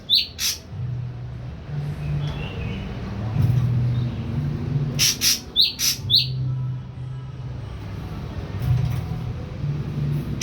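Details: Young caged Ashy drongo, three weeks fully on pellet feed and just starting to sing: a few short, sharp, high chirps in two small bursts, with clicking and a low steady hum behind.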